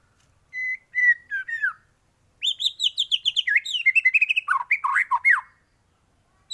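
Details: Vigorously singing white-rumped shama with full, varied song used to train other birds: a few clear level whistles, a pause, then a long rapid run of sharp chattering and warbled notes.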